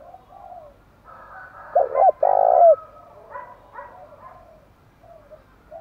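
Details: Spotted dove cooing to stir wild doves into answering: a single loud phrase of two short coos and a long, level coo, surrounded by softer, lower cooing.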